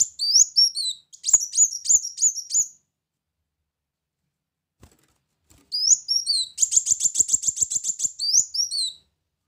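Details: Lure recording of brown-throated sunbird song, played to draw birds in: bright, high-pitched chirping phrases with quick upward sweeps, a dense buzzy trill of rapidly repeated notes, and a long silent gap midway.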